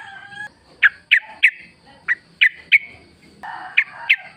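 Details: Wild yellow-vented bulbul in a forest setting, used as a lure to get caged birds singing: sharp, bright chirps repeated about three per second in short bursts, with a steady tonal whistle-like background line at the start.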